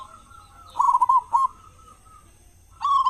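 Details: Local zebra dove with a large voice, singing as a lure for other doves: a short run of quick rolling coos, a long quiet gap, then a further burst beginning at the end.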